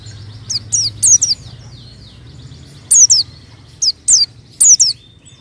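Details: White-eye singing as a lure for untrained birds, with short high chirp pairs and downward slurs repeated at irregular intervals, separated by quiet pauses over a faint hum.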